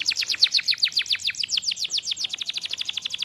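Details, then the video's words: Tame canary singing a rapid series of sharp descending chip notes, about four per second, slowing slightly and then quickening again in a rhythmic chopping roll. "Suara Burung Kenari Gacor Jinak"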